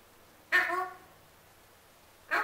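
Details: Harsh begging squawk from a male pet Alexandrine parrot wanting his apple, loud and rasping with a half-second fading tail. A second squawk starts just as the recording ends.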